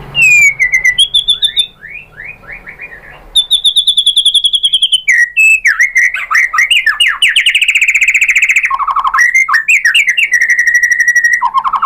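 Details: White-rumped shama song to make rival shamas answer, with sliding whistles, a long high steady trill, dense fast chattering passages and low fluty notes, delivered continuously and loudly.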